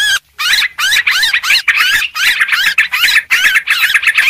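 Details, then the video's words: Sooty-headed bulbul lure sound, busy and noisy: a continuous stream of rapid, bubbling, up-and-down warbled notes in quick bursts of under half a second. "suara pikat burung trucuk ribut"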